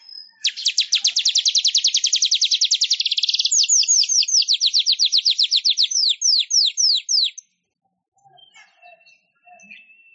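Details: Manyar, a weaver, in a long song meant for training songbirds: a dense, rapid trill of high ticking notes lasting about seven seconds. It slows into separate downslurred chips near the end, then falls quiet.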